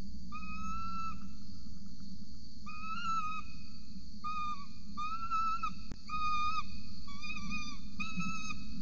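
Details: Peregrine falcon at a nest ledge in Orange, Australia, on 26 November 2020 at 8:07 am, an adult feeding a chick, picked up by a nest camera. Repeated clear, whining tonal notes, some slightly rising or wavering, come in a steady series over a low background hum.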